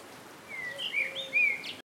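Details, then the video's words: Common babbler (Turdoides caudatus) giving a quick run of four or five high, slurred whistles, some overlapping, over a faint background hiss. "Common Babbler"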